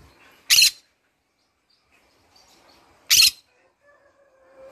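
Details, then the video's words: Green-cheeked conure kept as a pet, morning: two sharp, harsh screeches about two and a half seconds apart, then a faint, thin, level whistled note. "green conure singing in the morning amazing green cheek conure parrot bird"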